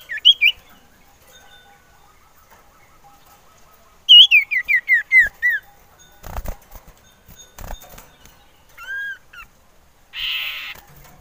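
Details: Male common iora used as a lure, wanting to mate: a descending series of about six clear whistled notes, later arched whistles and a buzzy burst, with clattering noises between.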